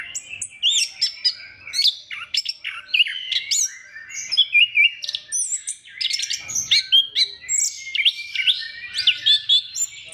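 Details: Orange-headed thrush in full song meant to stir other thrushes into singing: a long, dense, rapid run of whistles, trills, chatters and sharp mimicking-style notes, continuous and loud over ten seconds.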